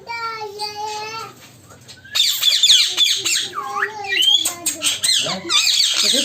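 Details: A colony of African ringneck (rose-ringed) parakeets, described as a cocktail colony, gives harsh overlapping squawks and shrill screeches after an opening sustained, nasal, voice-like note.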